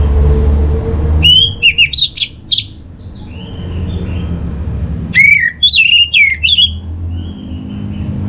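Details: Orange-headed thrush song used as bait for birds: two phrases of mixed slurred whistles and sharp high notes, about four seconds apart, with soft whistles between them and low background hum.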